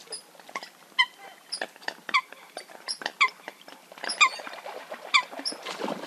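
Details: Eurasian coot calls: short, sharp, nasal notes repeated about once a second among a busy background of clicks and other chirps.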